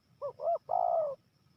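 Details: Spotted dove from Jambi giving a crisp "kuk-kuk" style call: two short soft coos followed by one longer, drawn-out hollow coo, clean with little background.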